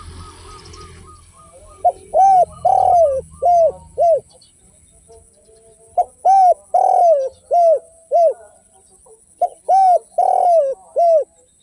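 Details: Spotted dove song, Indonesian derkuku tanpa kuk and kuk 1 style: three evenly spaced phrases of five deep, arched coos, the second note of each held longer, with a quiet pause before each phrase.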